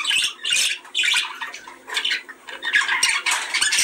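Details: Budgerigar breeding-stimulation sound: loud bursts of harsh, raspy squawks and chirrups roughly every half second, with gritty warbled phrases between them and brief quieter gaps.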